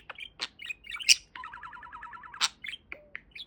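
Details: Pet budgerigar, described as a talking parakeet, gives a few squeaky chirps and clicks, then a steady buzzy pulsed trill lasting about a second, followed by a loud click and scattered chirps.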